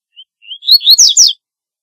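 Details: One song phrase of a double-collared seedeater: a faint introductory chip, then climbing whistled notes running into a quick series of bright, slurred, slightly buzzy notes, lasting about one second against silence.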